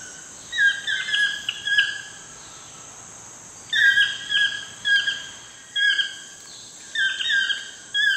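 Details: Toucan calling at sunset in wild Costa Rica, giving clusters of three or four yelping, downslurred notes separated by pauses of a second or more, with a constant shrill insect drone behind.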